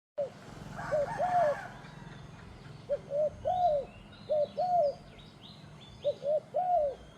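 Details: Turtle dove cooing: three phrases, each a quick short note followed by a smooth, arched two-part coo, repeated about every two and a half seconds, with faint higher chirps of other birds and a brief rustle near the start.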